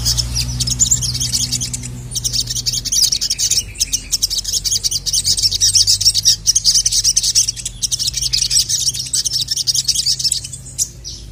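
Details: A Little Spiderhunter, known locally as sogon, calls a male in an agitated state on a training recording. Long bursts of rapid, shrill chirping come in near-continuous runs, broken by brief gaps around two and eight seconds.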